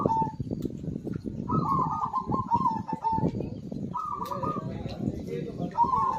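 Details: Zebra dove singing actively, meant to lure silent birds into song: several rolling, quavering coo phrases, one ending in a steadier note, spaced by short gaps over a constant low rumbling background.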